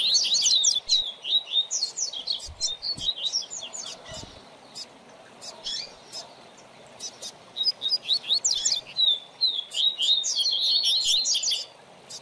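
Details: A caged double-collared seedeater (coleiro) used as a teacher for a young bird delivers repeated bursts of bright high twittering chirps and slurred whistles, separated by brief pauses, with scattered clicks and low knocks.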